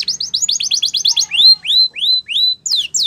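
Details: Spanish Timbrado canary song used for training: a fast run of repeated chirps, then four slower arching whistled notes about half a second apart, ending with descending sweeps.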